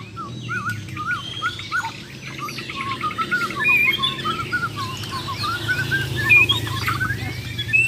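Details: Champion Bornean white-rumped shamas of the Muara Wahau type in a singing contest, performing rapid besetan and tembakan fills: varied whistled phrases and chattering notes rising and falling, with steady low hum underneath.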